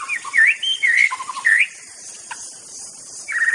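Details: White-rumped shama (murai batu) in the wild, with loud, rich, whistled, swooping phrases that rise and fall, then a pause and a final rising whistle, set against continuous insect buzzing.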